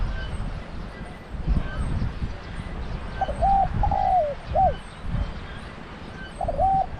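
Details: Spotted dove calling as a decoy at a Thai trap enclosure, with a deep voice. After a quiet start with low background rumble, one hoarse three-part coo phrase falls at the end, then a new phrase begins just before the close.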